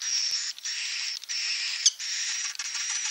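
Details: Swiftlet 'inap' (roosting) sound: a dense, continuous buzzy rasp with a thin whistled overtone, broken by brief gaps about every half second, plus a few sharp clicks.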